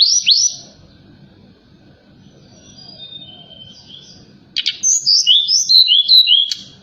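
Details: Forktail calling at night as a lure sound to provoke other birds: an opening high chirp, soft faint notes, then a lively string of bright whistled slurs repeated about every half second.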